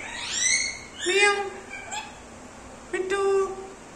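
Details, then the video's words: Pet Indian ringneck parrot talking in a sweet voice, saying its name and imitating a cat's meow: a few short harmonic, speech-like syllables with high squeaky edges, separated by brief pauses, in a quiet room. "smart parrot talking sweet voice mithu"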